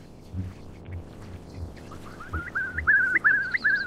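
Eastern curlew giving a run of short, rising whistled notes, about three per second, after a quiet start with low thumps and background rumble.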